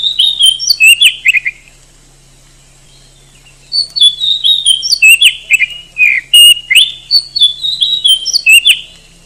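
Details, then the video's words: Oriental magpie-robin, a bird often entered in singing contests in Indonesia, delivering three bursts of varied song: fast descending whistles, trills and sharp chips, separated by short silences, over a quiet constant hum. "SUARA BURUNG KACER TOP"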